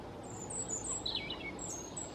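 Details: A European robin in Ukraine gives thin, very high, wavering notes and a quick tumbling phrase that drops in pitch, over a steady hiss of background noise.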